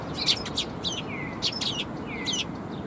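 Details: Sparrows coming to be fed at a shrine in December: rapid bursts of high chirps and short descending notes, several birds calling in quick succession over steady low background noise.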